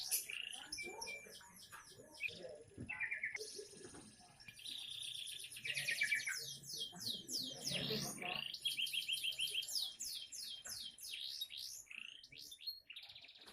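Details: Young canary delivering a long isian song: high buzzy trills, rapid repeated downslurred whistles and fast chattering passages follow one another in a dense, varied stream, with a brief low rustle midway.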